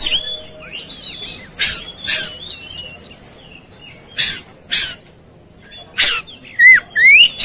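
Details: Oriental magpie-robin, agitated and fighting, opening with slurred whistles, then rasping bursts spaced a second or so apart, ending with loud rising whistled phrases.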